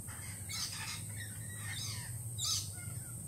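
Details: Lorikeets, still jittery following a Peregrine Falcon attack earlier that week, utter a run of rasping, overlapping screeches, then one louder shriek near the end, over a low background hum.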